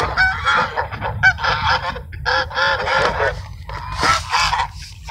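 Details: Ducks being fed at Sunset Park at sunset on 10-10-17, calling as a group: loud, nasal, harmonic honking notes in quick overlapping bursts, with a short pause midway and a stronger burst near the end.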